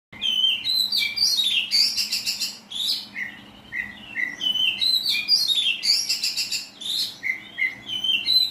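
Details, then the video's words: Oriental magpie-robin singing in the rough 'tembakan kasar' style: loud, varied whistled phrases, sharp upslurs and downslurs mixed with dense chattering bursts, delivered in rapid runs with brief pauses and a faint hum beneath. "Kacer tembakan kasar"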